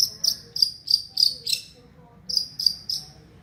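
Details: Long-tailed shrike imitating a lovebird: a series of six harsh, piercing high shrieks spaced about a quarter second apart, a brief pause, then three more.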